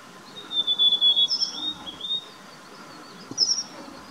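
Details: Rufous sibia, social orange bird of Indian foothill forests: a strung series of even, high whistled notes at nearly one pitch, a short high note above them, then a quieter two-note burst later.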